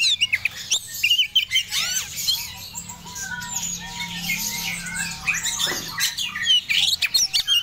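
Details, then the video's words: Breeding-condition Oriental magpie-robin of the Medan type, singing bursts of high whistles and sharp chips at the start and end, with a quieter middle stretch of short repeated mid-pitched notes and low hum. "Kacer Medan Yg Lagi birahhi"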